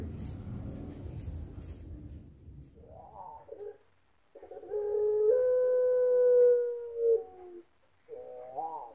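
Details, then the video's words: A champion puter pelung dove in an online birdsong contest in Sragen, October 2021: low, rolling coos, then a long, level note lasting about two seconds, after muffled voices and room noise. "Puter Pelung Juara"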